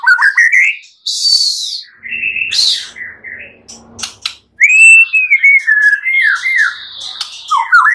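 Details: Clear-voiced white-rumped shama on a master recording to train other birds: whistled rising phrases, hissing buzzes and clicks, then a long run of looping slurred whistles.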